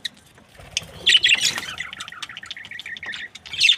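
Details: Australian budgies, a happy breeding pair, start quietly, then break into loud scratchy chirps followed by a run of quick repeated squeaky notes and a final loud burst.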